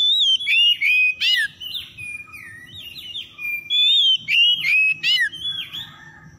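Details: Oriental magpie-robin song played to rouse stressed birds that have gone quiet: rapid, varied whistles and sharp chips in quick succession, some phrases slurring downward, with brief pauses and a constant faint high tone.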